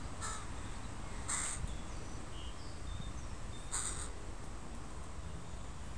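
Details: Crows of a family with their young in a park: three hoarse caws spread over several seconds, with faint thin bird chirps in between and a steady low background hum.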